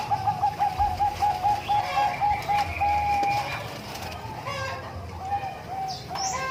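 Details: Bangkok-type zebra dove at Umbaran, Indonesia: a rapid string of short even coo notes ending in a longer held note, then scattered softer coos, amid a busy background with chicken sounds.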